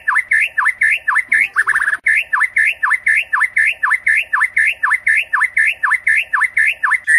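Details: Murai batu singing at night, a lure for Indonesian contest songbirds: a regular phrase of rasping swooping notes, twice per second, broken once by a brief rattling chatter.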